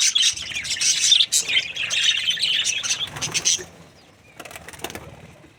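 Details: A happy budgerigar breeding pair chatters in busy high scratchy chirps for about three and a half seconds, then falls nearly silent apart from a few faint rustles and flutters.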